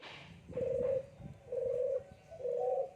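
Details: Barbary dove during a pairing process for breeding, giving three soft, even, low-pitched coos, each about half a second long and spaced about a second apart, with faint rustling before the first coo.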